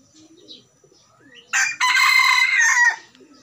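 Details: Junglefowl giving a single loud crow, a brief opening note then a long, rasping, sustained cry that ends abruptly, with faint low cooing and soft bird calls before and after.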